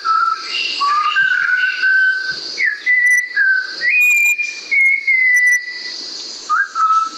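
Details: Malabar whistling thrush (Myophonus horsfieldii), nicknamed the whistling schoolboy, sings a rambling run of clear, human-like whistles that slide up and down between short pauses, over a steady high hiss.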